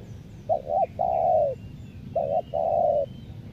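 Spotted dove cooing: a quick doubled coo followed by a long, hoarse, slightly falling note, given twice in low, mellow tones.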